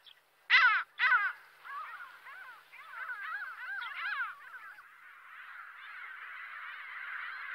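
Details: Gulls calling: two loud, harsh, harmonic cries open, then a run of quicker, softer overlapping yelping notes that blend into a steady chattering murmur of many birds.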